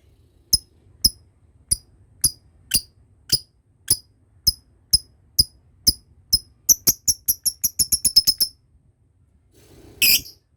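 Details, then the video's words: Lovebird chirping in a sequence used as a training lure for the long ngekek trill: sharp, high single chips spaced about half a second apart, speeding up into a quick run, then a brief noisy rustle. "Belajar ngekek panjang,suara pancingan love bird ngekek"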